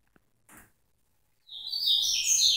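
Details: Double-collared seedeater (coleiro) singing in the tui tui style: after a near-silent start with a faint tap, a bright, high, fast twittering phrase bursts in and runs to the end.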